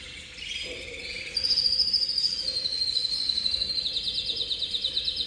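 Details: Canary of the Cobre Cobalto Intenso colour variety singing: a continuous run of rapid buzzy trills and rolls, shifting from lower warbled notes to a sustained high rattling roll that pulses steadily to the end.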